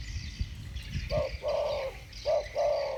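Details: Two spotted doves in the 'thổ bầu' voice style calling against each other; after low rumbling noise, two low hooting coo phrases, each a short note followed by a longer steady one, with faint hiss above.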